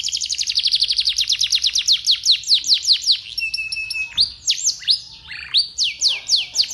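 A canary sings fast, bright runs of repeated down-slurred notes, about six a second, shifting into short rattling trills and higher whistled phrases.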